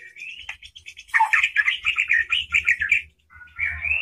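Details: A white-rumped shama bursts into loud, rich song, stirred up and showing off its varied phrases; used as a lure to excite other shamas into singing.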